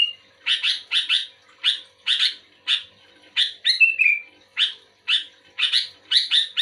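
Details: Sooty-headed bulbul calling back to another bulbul: rapid run of short burbling notes, bursts spaced about half a second apart, with one drawn-out slurred whistle midway.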